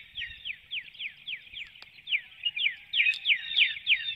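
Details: Pre-dawn calls of a female bald eagle flying out from her nest through a woodlot in Hanover, Pennsylvania, 12 April 2019. A long, steady run of high, falling chirps, roughly three each second, grows louder toward the end.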